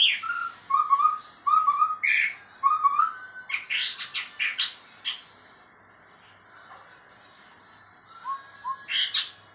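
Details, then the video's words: Chestnut-rumped babbler used as a song-training recording gives varied bursts of bright whistled and chirping phrases about one a second with brief pauses, sometimes sounding like a white-rumped shama. "Tepus Tunggir Merah kadang bisa seperti Murai batu"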